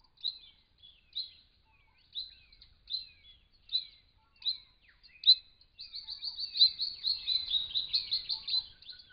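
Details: Wild Brown Treecreeper visiting a pond to drink and bathe in regional Victoria, Australia, filmed by camera trap: sharp, high piping notes about once a second, then a fast, dense run of rapid notes over the final three seconds.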